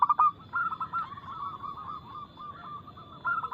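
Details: Local zebra dove with a fast, loud, crystal voice used as a lure for singing: a brief loud opening, then a long run of softer, repeated coos, and a louder phrase at the end, over low background noise.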